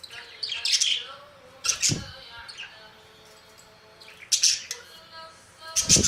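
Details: Budgerigar calls: sharp, high chirps and squeaky twitters in short clusters separated by quiet gaps, with a low thump and a steady faint hum underneath.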